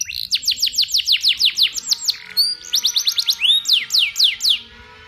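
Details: Training song of a canary: bright downward-sweeping whistled notes repeated in quick series, broken by a short buzzy note and a slurred whistle, then the sweeping series resumes.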